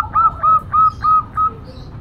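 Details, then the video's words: Female local zebra dove in noisy cooing: five loud, clear, level whistled notes delivered quickly, each sharply clipped at the start, over a quiet low hum. "Perkutut Lokal Betina,Sekali Nutut Bikin Ribut"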